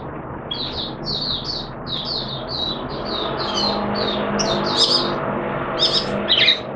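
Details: Oriental white-eye kept in captivity, singing during its second day of a monthly deworm course: continuous high sweet twittering phrases, growing louder and more varied toward the end, with a faint low hum beneath.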